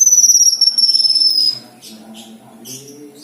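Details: Black-winged myna singing steadily, offered as rich song material: a long, high, thin whistle with a fast buzzy trill that slides gently downward over about a second and a half, then softer scattered high notes over faint low background rumble.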